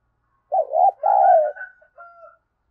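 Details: Spotted dove call used to lure wild doves: two low, hoarse coos, the second longer and fuller, then a softer, thinner trailing coo, in a quiet setting with no other sounds.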